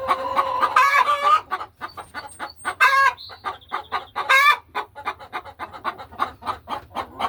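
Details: Afternoon in a hen house as laying hens settle into nest boxes; a drawn-out tonal call opens, followed by brisk clucking, a couple of sharp squawks and faint high squeaks in the background.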